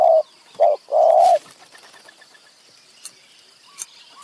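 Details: Spotted dove cooing during a decoy session in high mountain forest, with two wild birds close by: three loud, low, hollow coos, the last one longest, within about 1.4 seconds, followed by near silence with faint clicks.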